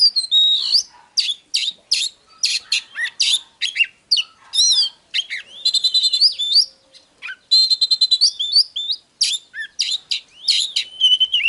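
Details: Long, varied Oriental magpie-robin song: rapid mix of scratchy notes and sweet whistled slurs, quick repeated trills, rising and falling glides, and short pauses between phrases, with no other sounds.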